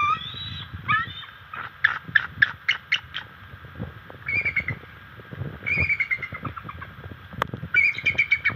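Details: Bald eagle at the NCTC nest on September 24, 2023, chasing an adult intruder, about five years old, off the nest: rapid series of high, thin chattering notes, with squeaky rising phrases and pulsed bursts, amid rustling and branch noises.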